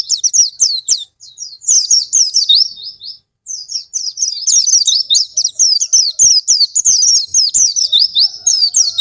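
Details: Oriental white-eye song meant to trigger reluctant caged pleci to sing: shrill, fast chirping phrases, broken by a short silence, then a sustained rapid warble of sliding notes.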